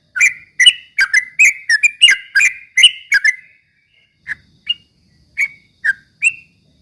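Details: Yellow-vented bulbul (trucuk ropel) singing to provoke rival birds: a fast, chattering run of clear whistled notes for three seconds, then single slurred whistles spaced about half a second apart.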